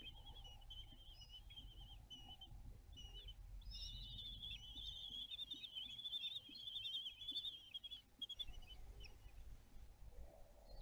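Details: Common kestrel (Falco tinnunculus) at a balcony nest in Théding during a meal, 20 June 2022, giving shrill, high, rapidly quavering calls in short bursts, then an unbroken trill for several seconds, over a low background rumble.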